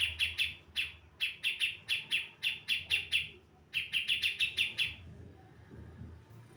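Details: Javan female brown-cheeked bulbul song used as a lure for males: three fast bursts of crisp, repeated chirping notes, each run of six to eight notes separated by brief pauses, then quiet background rumble.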